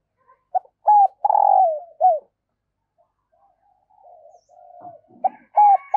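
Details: A female dove gives low, hollow coos, a short series of soft rising and falling notes, then fainter murmured cooing and a final pair of coos, used to stimulate males. Dove.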